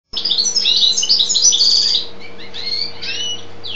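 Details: European goldfinch, described as a 'pisón', singing a fast, tinkling twitter of high chirps and trills. A dense run in the first two seconds is followed by softer, sparser notes, over a steady low electrical hum.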